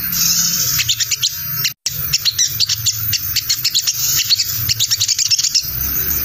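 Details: Lure recording of crimson sunbird chatter, called 'ngriwik', for attracting wild birds: a brief cut near the start, then nonstop high, shrill, stuttering chips and short trills over a faint low hum.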